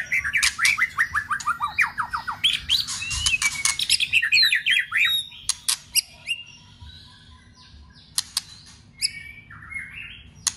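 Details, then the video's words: White-rumped shama being trained for song contests: a fast burst of rising, bouncing notes, then scattered loud clicks and short calls with pauses between. "luyện chòe Lửa hót đấu"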